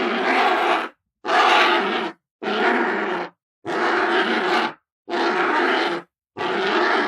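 A vulture gives six harsh, raspy hissing bursts, each just under a second long, spaced about a second apart.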